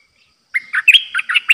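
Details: New decoy Streak-eared bulbul singing 'dok' phrases in a cage, May 2022. After brief silence, a rapid run of about six chirpy, slurred notes, cut off at the end.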